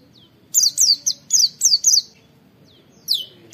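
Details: Training recording of oriental white-eye "wit wit" calls: a lively series of about seven thin, high, falling whistled notes in quick succession, then a short lull and a final note.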